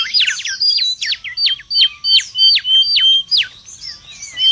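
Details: Mangrove whistler singing in the wild: a clear series of about ten loud, ringing down-slurred whistles, roughly three per second, each followed by a short flat note, then softer twittering at the close.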